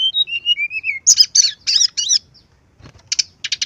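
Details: Lure recording of a brown-chested jungle flycatcher: a falling series of clear whistled notes, four harsh buzzy bursts, a pause, then rapid rattling notes.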